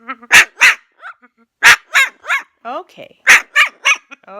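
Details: A rescued 68-year-old parrot, aged by its band, mimics a dog: sharp broadband barks in clusters of two or three, about three bursts in under five seconds, with faint harmonic chatter between them and no other clear sounds.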